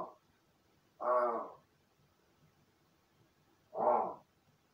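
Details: Indoor pet crow practising its calls after playing alone: two loud, hoarse caws spaced nearly three seconds apart, each rough and slightly drawn out, in a quiet room.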